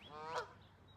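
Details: A single nasal, buzzy honk from a Canada goose rises and then falls over about a third of a second, followed by quiet background hiss. Recorded on a very cold morning, 21 February 2024, in the Boston area.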